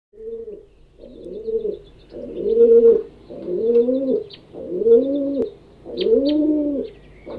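Domestic pigeon giving six low, throaty rolling coos, each swelling and falling, about one every second, with faint high chirps of other birds behind.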